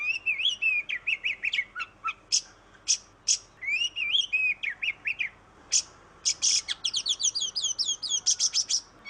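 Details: Oriental magpie-robin in full, continuous song, played as a lure to prompt other magpie-robins to sing: rich slurred whistles and rapid chattering notes, broken by harsh buzzy bursts, ending in a fast run of repeated twittering phrases.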